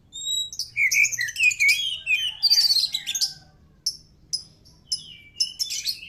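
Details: White-rumped shama song, suited for prompting other birds to answer: a rich, varied run of whistled and slurred phrases, dense in the first three seconds, then spaced sharp high notes with brief pauses.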